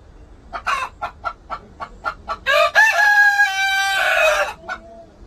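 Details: Korean native chicken: a run of quick, evenly spaced clucks leads into a rooster's long, harsh crow of about two seconds, then one more cluck.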